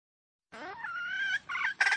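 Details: Wild junglefowl calling: after a silent start, a harsh, richly harmonic crow rises briefly then holds a steady drawn-out tone. It breaks into two shorter, louder bursts at the end. No other sounds.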